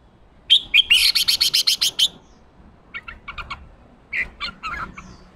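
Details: Newly caught wild male red-whiskered bulbul, fired up and singing in the chào mào ché style. A fast rattle of about ten harsh, buzzy notes with bright whistled notes mixed in. This is followed by short clipped chips in two bursts.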